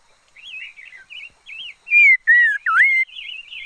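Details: Singing decoy red-faced liocichla: a string of gentle wavy warbled notes leads into three strong whistles, the last dipping low and rising, then soft warbling again.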